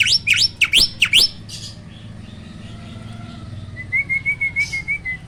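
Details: Hybrid starling, a cross between Asian pied starling and black-winged starling, delivering roll tembak song. Five sharp swooping whistles open the phrase, then a quiet gap, then a soft wavering whistle with short ticking notes. A low hum runs underneath.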